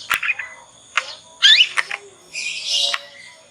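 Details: Young Yorkshire canary, a caged juvenile still learning the ngriwik twitter, used as a lure so other canaries answer and learn; scattered scratchy twittering bursts and buzzy notes with gaps between phrases.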